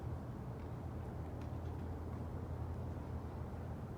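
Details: Steady low rumbling noise, like distant traffic or machinery, fills the recording with no animal voices.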